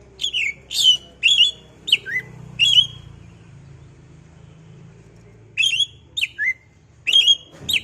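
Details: Oriental magpie-robin singing as a provoking lure: a series of sharp, down-slurred whistled notes, a silent stretch with low background hum, then more quick whistles.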